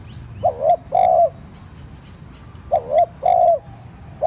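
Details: Spotted dove used as a lure, cooing to make other doves call: two phrases of a brief two-note coo and a longer sustained coo, then the start of another, faint clicks and chirps around.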